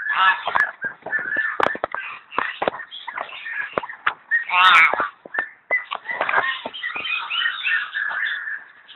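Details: A myna at the Zoological Garden in Kolkata, India, gives a busy, almost nonstop run of harsh chatters, squawks and gurgling whistles mixed with honking notes.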